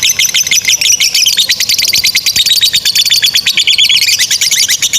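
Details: Fast high chatter from a lovebird, the long 'ngekek' style used to train young and reluctant lovebirds; tightly packed squeaky pulses in a continuous rattling stream without pause.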